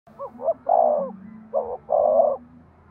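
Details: Spotted dove cooing, a recording used to stimulate breeding: two quick low hoots followed by a longer, fuller coo, the phrase given twice in close succession.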